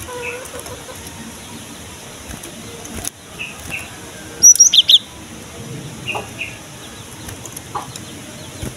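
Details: An actively singing cinereous tit, used as a lure and stimulus for other cinereous tits, gives a quick burst of four sharp, high notes midway through, with faint scattered chirps from other birds and a steady hiss behind.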